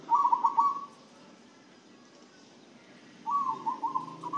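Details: Zebra dove that has been given a herbal spice feed mixture and is said to now sing keenly and be healthy; two bursts of fast, rippling, beaded cooing separated by a two-second quiet gap, over faint background hum.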